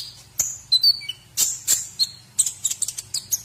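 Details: Masteran training song of a white-rumped shama for other birds: thin, high whistles and short falling notes, then sharp, explosive strokes and a quick chatter of chirps at the end, over a faint background hum.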